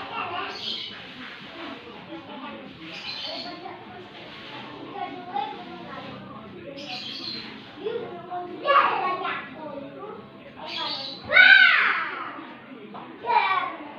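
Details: Javan myna imitating speech, calling "mama", in short voice-like bursts, with harsh chatters and a rising whistle between phrases.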